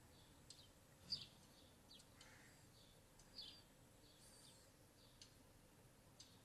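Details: A house sparrow, heard from a bedroom window, gives a few short, high chirps, two standing out clearly, over a steady background hiss with fainter chirps between.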